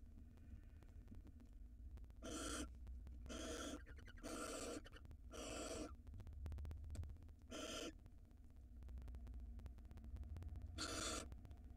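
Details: Barn owls at a nest box camera in Israel, a breeding pair with eggs laid in February 2022, a large rodent present; harsh broadband hissing screeches about half a second long, repeated irregularly, over steady low camera hum.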